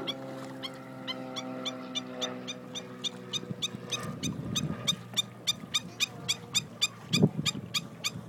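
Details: A vocal pair of black-necked stilts at a shoreline lake: sharp, yapping notes repeated about three to four times a second, quickening toward the end, over a steady low mechanical hum.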